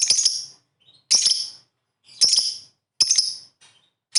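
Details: Lovebird calling, 'ngetik ngekek' type, aimed at making rival birds sound off; four harsh, scratchy shrill bursts about a second apart, with faint soft squeaks between them.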